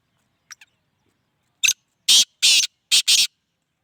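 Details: Two faint clipped notes, then a black francolin's loud rasping phrase of a short note and four harsh, grating bursts, the final pair nearly joined, within about two seconds.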